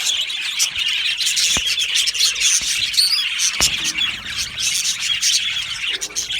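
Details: Australian budgerigars chattering as a flock in an aviary: dense high chirps and warbling twitters throughout, one brief clear whistle near the middle, with several sharp clicks and knocks.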